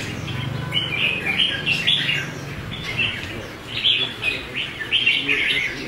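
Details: A competition red-whiskered bulbul with a combative manner gives short, clear, warbling phrases in rapid succession, some quieter gaps between bursts, over a low hum and distant talk.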